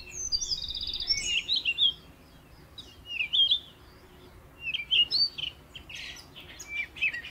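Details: Canary singing in short bursts of high, buzzy trills and sharp chirps, broken by brief pauses, with some faint background chirping.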